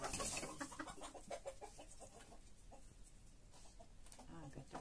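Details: Hen with her brood of chicks: a dense run of rapid clucks, loudest in the first second, mixed with thin, high chick peeps, then quieter scattered notes.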